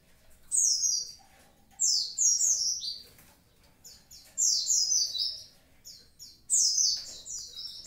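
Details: Javan pied starling in full, active song: clusters of high, bright, downward-slurred chirps in four separated bursts, with quiet gaps between them.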